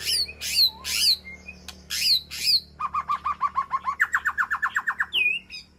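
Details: White-rumped shama communicating with its flock in an aviary: harsh high squawking notes, then a steady series of about twenty rapid short repeated notes, ending with a sharp upslurred whistle.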